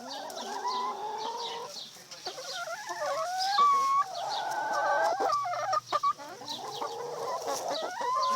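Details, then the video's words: A neighbor's chickens singing: drawn-out, wavering clucks and harmonic calls that rise and fall, with a brief sharper note midway, plus soft chirps from other birds and a low background hum. "Soothing sounds of the neighbors singing chickens"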